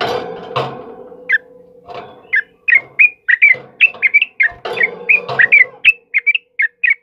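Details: Sooty-headed bulbul singing actively, recorded as training material for cage birds during heavy rain: a broad noisy rush at first, then quick bright chirped notes in uneven bursts, some clustered, others spaced about half a second apart.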